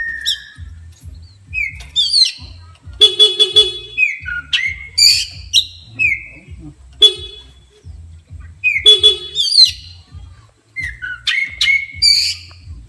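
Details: Horn blasts sound twice, a buzzy, honking tone, each followed by a burst of shrill whistled phrases and sharp upswept notes from an agitated Oriental magpie-robin, over a low rhythmic thumping.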